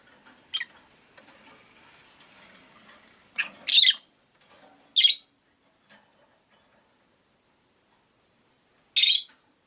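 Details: Rosy-faced lovebirds, five birds kept in a cage by a window, giving sharp high chirps: a single note, a rough burst around four seconds, another at five and a lone chirp near nine seconds, with quiet gaps.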